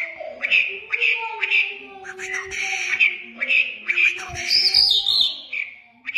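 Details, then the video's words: Mashadi lark from Iran producing harsh, squawky repeated notes with a nasal, voice-like quality, roughly two per second, mixed with a few higher twittered phrases. "Mashadi larks lunda jal full Sining JalBirds Irani Jal talking sining مشهدی جل ایرانی صدای جل لندی"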